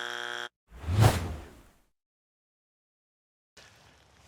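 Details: A short electronic buzzer tone, then a loud whooshing burst and a faint rumble, with no animal voice anywhere.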